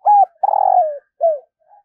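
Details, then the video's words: Spotted dove decoy calling wild doves in the morning. A steady coo leads into a long, pulsing, rolling coo that slides down, then a shorter falling coo, with a faint soft note after. "Tiếng chim cu gáy thúc và gáy gọi bổi vào buổi sáng"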